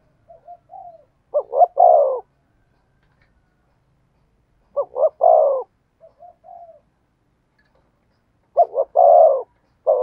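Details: Spotted dove singing in the thổ sấm style. Three separated bursts of deep, throaty coos arrive roughly every three to four seconds. Each burst opens with soft, quiet lead-in notes. The pauses between bursts are quiet.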